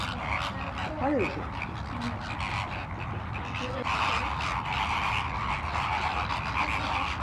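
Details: At Ras Al Khor Wildlife Sanctuary in Dubai, a wetland of mangroves, mudflats and lagoons, a flamingo flock keeps up a steady, dense gabble of low grunts and nasal honks, with one clearer goose-like honk early on.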